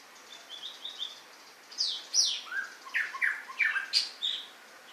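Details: White-rumped shama singing a varied, loud phrase of sweeping whistles and sharp slurred notes, rising and falling quickly, with brief quieter notes before the main burst.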